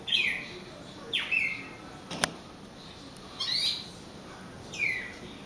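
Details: Bird singing by a glass door, apparently reacting to its reflection: short bright chirped phrases sliding downward, given about every second or so with pauses between, plus one sharp tap and steady background hiss.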